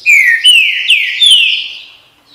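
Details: Green-winged saltator: a bright run of four rich, downslurred whistles, loud and close, ending in a fading final note.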